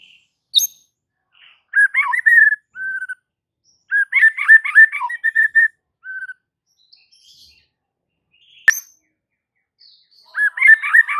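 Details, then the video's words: White-rumped shama singing to urge other shamas into song: separate bursts of warbled and whistled phrases, each a tight cluster of varied notes, separated by pauses, with one brief click partway through. "Murai batu ini SONTAK bikin murai lain TETAP GACOR dan NGEPLONG hanya dengan Sekali Pancingan Saja"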